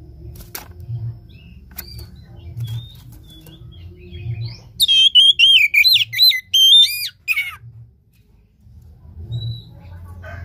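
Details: Oriental magpie-robin (kacer) song used to stimulate a caged bird to sing: a loud burst of sweeping whistled notes, rising and falling, lasting about three seconds amid quiet low background hum.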